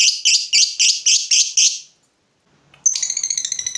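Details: Fighter lovebird provoked by a rival: seven evenly spaced harsh chattering notes, a brief silence, then a sudden rapid, buzzy trill of many short high notes.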